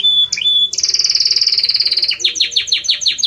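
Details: Belgian canary singing strongly: a pure whistled note, then a rapid buzzy rattle lasting over a second, finishing with a string of loud descending sweeps repeated several times a second.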